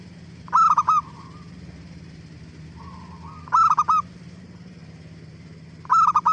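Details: Zebra dove lure song to provoke other doves into answering: three loud clipped coo phrases spaced roughly two and a half to three seconds apart, faint soft trills in the gaps, steady low hum beneath.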